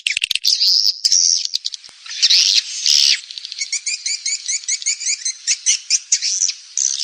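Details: Swiftlets chittering in harsh, buzzy bursts, then a fast run of high clicking twitters repeated several times a second, all high-pitched; a call sound used by swiftlet farmers to attract birds to nesting houses.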